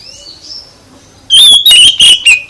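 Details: Oriental magpie-robin song meant to provoke other magpie-robins into answering: after a quiet stretch with faint distant chirps, a loud burst of short whistled notes, each a sliding, slightly buzzy phrase, comes in quick succession.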